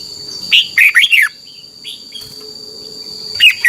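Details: A red-whiskered bulbul from Thailand, recorded so young birds can learn its song, gives one clear phrase of four looping whistles. Softer scattered notes and a constant high whine follow, and another phrase begins at the end.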